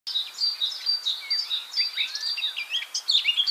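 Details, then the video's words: Eurasian jay, in the morning, giving an unusual imitation call: a run of high, squeaky whistles and quick chirps, quite unlike its familiar harsh screech; heard over recent days and two years earlier, and what it imitates remains a mystery. "De onbekende roep van de Vlaamse gaai"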